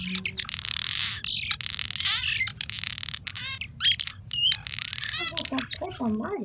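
Cliff Swallow song: a dense, steady run of squeaky, creaking, grating chatter with a few thin rising whines, mostly high-pitched.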